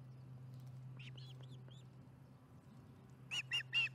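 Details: Osprey at the Charlo nest at dinnertime, 15 July 2019, 4:30pm MDT. A few soft, thin chirps are followed by three loud harsh squealing notes in quick succession, with a low hum in the background.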